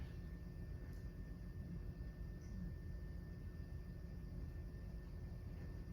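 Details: Low, steady droning of a distant propeller aircraft fills the outdoor recording, with no animal voices heard.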